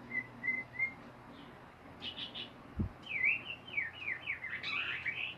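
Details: Ngeriwik-style song from a white-rumped shama: three evenly spaced soft whistles, a short chattering burst and a single thump, then a rapid cascade of looping, warbled notes building to a dense finish.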